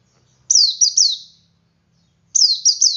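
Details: Male white-eye singing ngalas, meant to coax other white-eyes to sing: two rapid phrases of three or four shrill, sliding chirps with a pause between.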